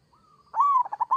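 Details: A local zebra dove gives a single 'kerot'-style phrase: a soft level whistle, then a louder arched coo breaking into three quick staccato pulses.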